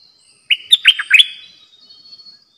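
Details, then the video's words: Decoy bulbul for bird trapping, caged, sings a single lively phrase of five or six slurred whistles, rising and dipping quickly, followed by a few soft trailing notes before stillness. "Suara burung merbah lekir"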